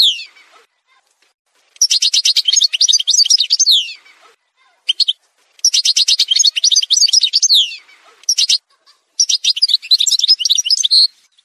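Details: Algerian goldfinch (parva) montage song, delivered in three long phrases of fast jangling trills and twitters, each about two seconds, separated by short pauses and single notes.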